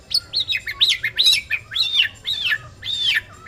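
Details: Singing male white-rumped shama delivering varied, high arching whistled and chattering notes in quick succession, some squeaky and some rich, with a faint low hum behind.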